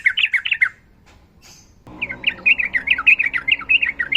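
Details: Sooty-headed bulbul in fighting song, a female calling a male: quick warbled chirps, a short gap, then a run of bright slurred notes over a steady low hum.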